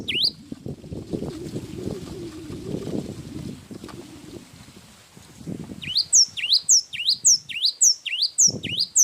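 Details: Java sparrow in long, energetic song: about six seconds of low rumbling background, then a quick run of bright, clipped chirps, each swooping down and up, repeated at a steady pace to the end.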